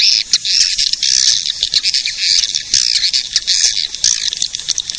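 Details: Edible-nest swiftlet lure call played to attract swiftlets: a dense, continuous chatter of high, rapid twittering chirps and clicks with no pauses.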